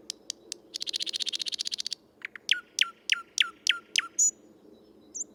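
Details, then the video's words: A male thrush nightingale sings in Tsaritsyno park, Moscow, 12 May 2022: a fast chattering rattle of about twenty notes, then six loud descending whip-like whistles at steady intervals, ending with a short chirp. "Соловей | Thrush Nightingale | Luscinia luscinia, ♂ поёт"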